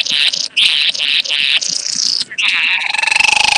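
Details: A bowerbird recorded during mating on 8 January 2014 gives harsh, hissing, grating bursts about every half second, then a buzzy, churring rattle.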